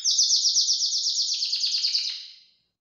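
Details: Belgian canary singing outside its cage: a single loud, rapid, even trill of high pulsed notes lasting over two seconds, slowing slightly before fading away.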